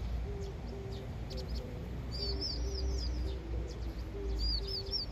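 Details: Young vinous-throated parrotbill chattering while practising its future song: bright high twittering runs of rapid upslurred notes in two bursts, with a repeated low soft cooing from another bird and a constant rumble beneath.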